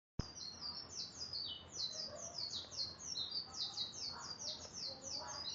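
A canary sings a fast, continuous stream of high, bright trills and twittering notes, rolling on without pause over faint background noise.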